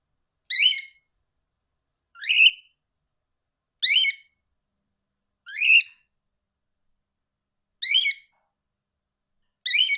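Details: Parrot communicating, giving a harsh raspy squawk repeated roughly every one and a half to two seconds, with silence between calls.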